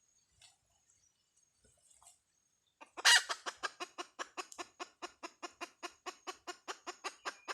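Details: Hen calling: after a few faint scattered sounds, a loud run of short, harsh, broadband clucks begins and repeats steadily, about three per second, fading slightly toward the end.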